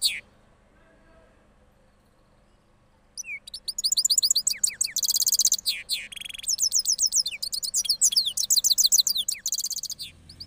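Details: Cross goldfinch, Parachinar, singing after moulting: a brief whistle, three seconds of quiet, then a long run of rapid high metallic twitters and buzzy rolls.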